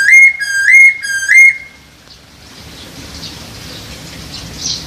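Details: Masked laughingthrush mating call, meant to raise breeding drive: three loud, clear whistles, each dipping then rising, given about half a second apart and followed by quiet background hiss.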